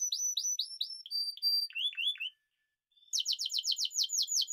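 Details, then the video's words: Spanish timbrado canary singing: rapid trills of repeated notes and sweeping chirps, a short silent gap, then a fast series of bright descending sweeps; no other sounds. "Timbrado تغريد جميل الكناري تيمرادو الإسباني"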